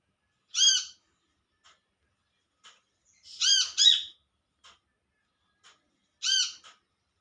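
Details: Olive-backed sunbird calling to companions in the wild, giving three bright, harmonic, arched calls roughly every three seconds, the middle one doubled, with soft ticking notes between.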